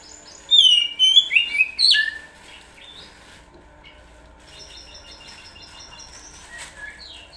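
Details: Oriental magpie-robin lure song: a burst of loud, clear whistled phrases sweeping up and down, with fast rising and falling slurs for about a second and a half, then faint high notes under steady low hum.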